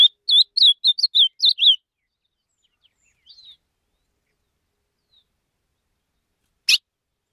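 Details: Ultramarine grosbeak held in the hand, singing a quick run of about eight short, clear whistled notes that rise and fall within under two seconds. A soft note and a single sharp click follow after a long quiet gap.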